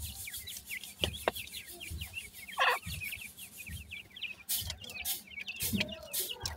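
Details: Grey francolin (teetar) chicks giving a steady stream of short, high, upward-flicking peeps, several overlapping, with a few louder clicks and rustling bursts in the background.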